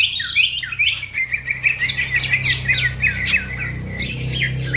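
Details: Green leafbird (cucak ijo) singing fast and lively, a recording meant as a master for training other songbirds; rapid run of short, sharp chirps and downslurred whistles, steady low hum underneath.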